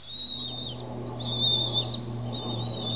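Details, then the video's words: Bald Eagle chicks on the Pelican Harbor nest, Santa Cruz Island, begging as parents feed them; high thin whistled squeals over a steady low mechanical hum. "A Noisy Feast for Four on PH"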